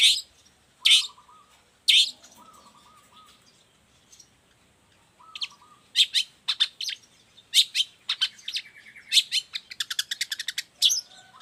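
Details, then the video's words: Long-tailed shrike singing as a model and lure for other shrikes: loud, scratchy bursts, a pause with soft fluttering tones, then quick sharp chirps and chattering notes. "Cendet gacor cocok buat masteran juga pancingan cendet lainnya"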